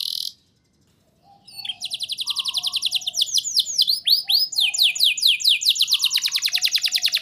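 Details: Persistent canary song meant to prompt young birds to sing: after a brief gap, a rapid high trill builds, breaks into loud arching sweeps, then resumes as a steady, fast-pulsed trill.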